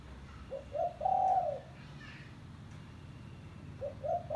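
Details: Spotted dove giving a call used to lure doves: a coo phrase of short notes rising into a long mellow hoot, then a second phrase beginning, faint rustle between.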